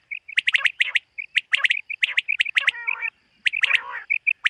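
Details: Common quail calling on a summer morning in a meadow: short clipped mid-pitched notes, often in quick pairs or triplets, repeated steadily, mixed with sharper high chirps and a couple of harsher rasping bursts.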